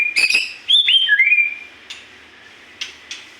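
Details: Magpie-robin singing vigorously: a quick run of loud, clear whistled notes sliding up and down, then a few sharp dry clicks spaced through the rest against a soft steady hiss.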